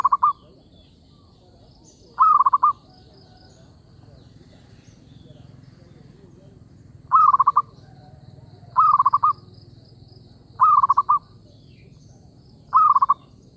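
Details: Zebra dove lure call for trapping birds. Six brief, strong bursts of rapidly repeated coos come at irregular gaps of one to four seconds, with soft high chirping from other birds in the background.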